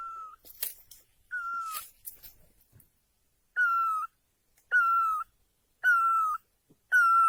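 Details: Great Barbet in Asia gives loud, level, wailing notes, each about half a second long, repeated roughly once a second. The first two notes are fainter, with some rustling.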